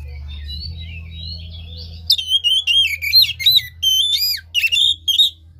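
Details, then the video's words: Oriental magpie-robin lure song for a reluctant caged singer: soft distant whistles at first, then loud, clear whistled phrases repeated nearly three times a second, some slurred downward, over a steady low hum. "Pancingan KACER malas bunyi macet kurang birahi"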